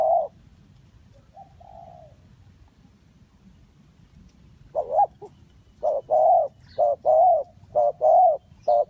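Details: Spotted dove used to lure wild doves toward a trap, giving a loud coo, a quiet pause, then a run of rolling, hollow coo notes with short gaps, about one a second.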